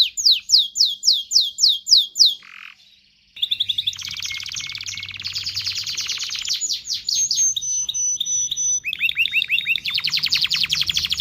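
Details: Excited canary song for encouraging mating: quick descending whistles, a brief pause, then varied tours of buzzy rolls, rapid trills and rising notes in a rich, continuous stream.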